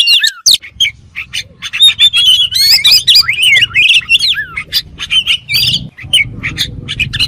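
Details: Kacer, the oriental magpie-robin, singing a fast, varied medley of bright whistles, warbled slurs and scratchy chips in quick succession, over a steady low hum in the background.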